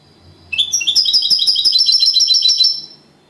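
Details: European goldfinch, champion singer in second place, in copia Malaga style: one continuous high, rapid trill of ringing repeated notes, about two seconds long, ending abruptly.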